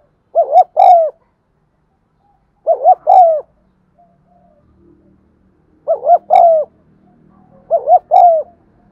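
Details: Spotted dove cooing, intended to make non-cooing birds start calling: four phrases in irregular spacing, each a fast double note then a drawn falling coo, with a faint low hum in the second half.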